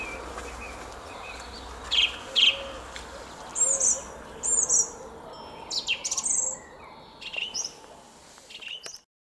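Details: Spring morning in a Szalkszentmárton garden, 06:15 on 10 April 2021: a song thrush gives fainter, spaced high phrases of whistled and chirping notes against a low background hum, ending abruptly.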